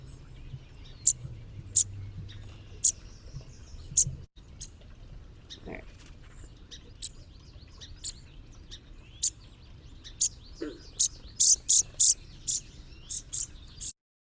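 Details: A fledgling Brown-headed Cowbird gives high, buzzy, coarse begging notes about once a second. The notes then break into a quick burst of faster calls, the feeding sound made just as it is fed. A faint low hum lies beneath.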